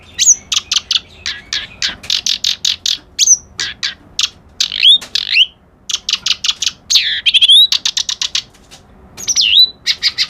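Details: Song of a reed warbler known as kerak basi alis putih: fast, unbroken bursts of grating chirps, several per second, broken by high whistled upslurs and swooping notes over about ten seconds.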